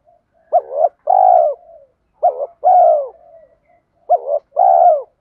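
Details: Spotted dove in the 'thổ' voice style, kept as a lure for training: three evenly spaced phrases, each a brief stuttered note followed by a longer level coo, about two seconds apart, little else heard.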